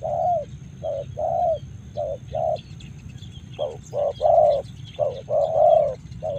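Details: In Karawang, a spotted dove repeats short, low coos with occasional longer phrases, about 47 a minute, and faint high chirps from other birds are heard over a low rumble.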